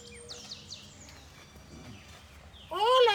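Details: Cockatoo at Buenaventura Zoo saying hello (hola): after quieter chirps and faint background noise, a loud, harmonic, arching utterance lasting about half a second closes the recording.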